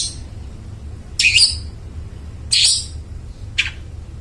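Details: A long-tailed shrike, recorded to lure mute shrikes into singing, gives three harsh, scratchy notes about a second apart, the last one softer.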